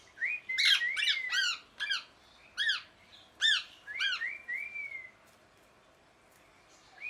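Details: Parrot calling with a string of harsh, ringing squawks about once a second, mixed with smooth rising-and-falling whistled notes, over a steady low background hum.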